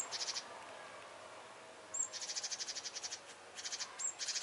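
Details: Great tit scolding in alarm at a cat that was hunting birds: harsh, buzzy churring bursts of about eight rapid notes per second, each burst led by a thin, high note.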